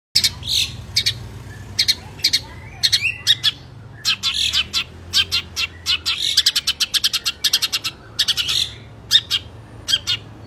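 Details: Long-tailed shrike singing vigorously: a rapid series of sharp, scratchy, high chirps and short buzzy bursts, sometimes in quick runs, separated by brief pauses, with a faint low hum underneath.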